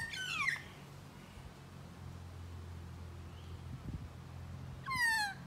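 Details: Magpie close by: one harsh descending squawk at the start and another near the end, separated by several seconds of steady low engine-like hum.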